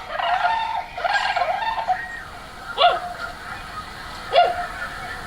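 Tundra swans give a chorus of mellow, hooting, slightly nasal calls, overlapping at first, then single clearer notes every second or so.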